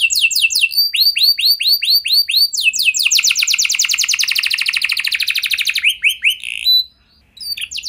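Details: Lively canary singing, played to stimulate other canaries to sing: repeated rising whistled notes, a long accelerating rattling trill, then brief chirps, a short pause, and the song resuming.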